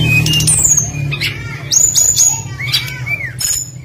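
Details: Tledekan flycatcher singing a lure to set other birds singing: thin high whistles, sharp sliding notes and downward-slurred whistles, with a steady low hum throughout.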